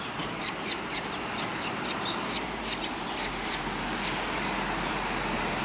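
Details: Eurasian tree sparrows at rest after eating, 26 January 2020: a string of high chirps fading out midway, set against a broad hum of background noise.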